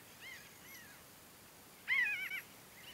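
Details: Pinyon jay flock foraging and flying at Great Sand Dunes in the San Luis Valley, southern Colorado: faint distant nasal calls, then a louder cluster of wavering, nasal, overlapping notes lasting about half a second.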